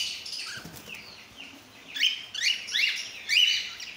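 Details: Mixed colour mutations of cockatiels in one group: soft chatter and wing flutter, then loud rising whistled calls repeated about every half second.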